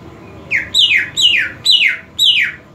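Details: Greater green leafbird song, kept to raise excitement and breeding drive: five loud, rapid downward-slurred whistles, each sweeping from high to lower pitch, about one every half second, over a faint low hum.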